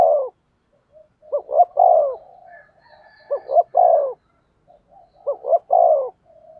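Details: Spotted dove decoy bird cooing to lure wild doves. Three low phrases about two seconds apart, each two short hooting notes and then a longer falling coo, with a faint thin whistle in the background.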